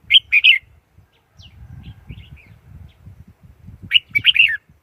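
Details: Red-whiskered bulbul singing two short, bubbly warbled phrases of high notes, one at the start and one near the end, with quiet low rumbling in between.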